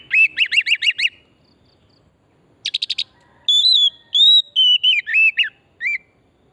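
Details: Singing oriental magpie-robin from wild forest, used as a singing lure: six rapid repeated whistled notes, a short buzzy burst, then clear sustained whistles and slurred phrases falling toward the end.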